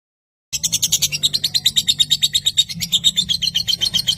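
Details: Lovebird ngekek long trill, unedited, meant to stimulate lazy young and adult lovebirds: after half a second of silence, rapid high-pitched chattering pulses run unbroken to the end, over a faint low hum.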